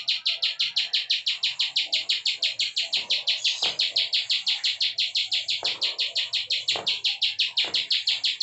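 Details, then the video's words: Plain prinia (ciblek sawah) singing its klik style of song, used as a tutor recording for songbirds: a long, steady run of buzzy, high chirps, about three each second, with no breaks. "CIWAH PRENJAK KLIK PALING GACOR NGEBREN"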